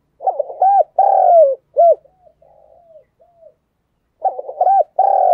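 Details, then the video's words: Spotted dove giving a stimulating coo meant to prompt other doves to coo along: low stuttered notes run into a long hoarse coo and a short clipped coo, then soft muttered notes before the loud phrase returns. The background is quiet. "Tiếng chim cu gáy thúc gù"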